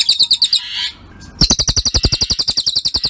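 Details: Cililin bird masteran recording for training songbirds. Quick high chirps in a rapid repeated run break off into a short, muffled rustling gap, then resume as a steady stream of sharp paired notes over low thumping pulses.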